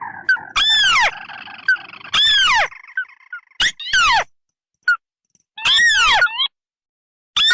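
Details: Lure call of red versus white tikusan crakes, marsh and paddy birds: loud descending whistled slurs in spaced bursts, mixed with a faint buzzy drone and scattered short clicks, with pauses of silence between.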